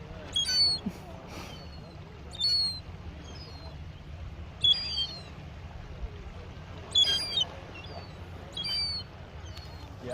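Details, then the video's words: Noisy young gull at the harbour in Mevagissey, Cornwall, uttering thin, high squealing calls in about seven separate bursts over a constant low rumbling hum. "Noisy young seagull at Mevagissey Cornwall"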